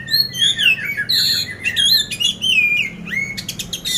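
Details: Caged poci oriental magpie-robin in Magelang, Central Java, prepared for contests, pouring out fast loud whistled phrases mixed with rasping notes and crisp clicking bursts.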